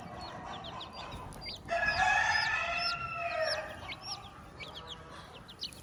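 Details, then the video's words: Farmyard with a hen and her chicks: high, falling chick peeps throughout, then a strong sustained crow of about two seconds cuts in and fades, the peeping continuing afterwards. "the hen with her chicks"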